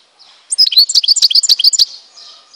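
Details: Algerian goldfinch from Tizi Ouzou singing a fast twittering phrase of about a dozen bright, high notes in quick succession, tinkling and liquid, ending abruptly after roughly one and a half seconds.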